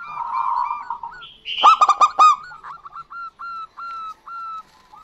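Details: Local zebra doves, male and female answering. A blurred, muffled coo opens, then a crisp burst of rapid ringing notes, followed by slow, evenly spaced soft coos roughly every half second.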